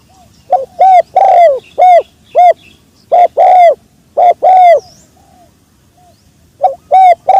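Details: Close, loud spotted dove coos in the sấm chuông style, used to excite males, females and wild birds: bursts of short hoots and longer arched coos, a quiet pause near six seconds, then the calling resumes, with some distortion.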